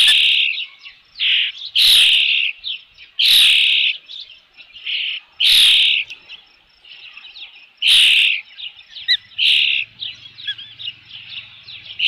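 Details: Osprey calling at the nest with a fish, 3 June 2018 in the late afternoon: strong, shrill whistled notes in bursts roughly every one to two seconds, with softer chirps between them and a faint low hum toward the end.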